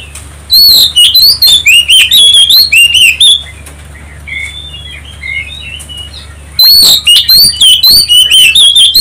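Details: Oriental magpie-robin song used to provoke other birds to sing: two loud bursts of fast, varied whistled notes, rising and falling, separated by a quiet gap of soft distant twitters and a steady low hum.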